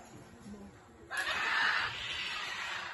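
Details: Scarlet macaw at a release of 35 rescued scarlet macaws into the wild at Cabuya, Costa Rica, beside Cabo Blanco reserve, giving one long, harsh, raspy screech of nearly two seconds after a moment of quiet.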